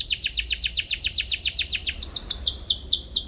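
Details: Atlantic canary (kenari) chirping in search of a rival, used to train young canaries: a steady run of sharp, descending cuit notes repeated about four times a second over a low background hum.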